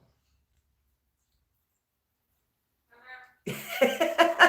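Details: Three seconds of silence, then a brief murmur and indoor coughing, speech and laughter in a small room.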